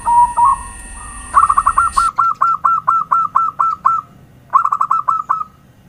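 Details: Zebra dove lure song: a soft opening coo, then a fast run of short hooked cooing notes, a pause and a second shorter burst, over a steady high electronic whine that stops partway through.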